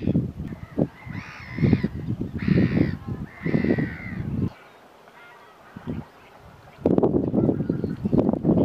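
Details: Pink-footed geese among other geese at RSPB Snettisham, Norfolk, England, in March: three bursts of nasal honking in the first half, a quiet lull, then more honking, over heavy low wind rumble.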